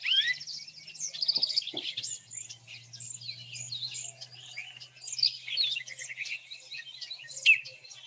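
Bullock's Oriole song: a busy run of clear, high whistles mixed with short chattering and buzzy notes, steady for eight seconds over a faint low hum.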